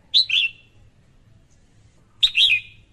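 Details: Female red-whiskered bulbul uttering two brief, clear chirping calls, each a quick sharp note sliding into a short warbled tail, about two seconds apart, with a soft low background hum.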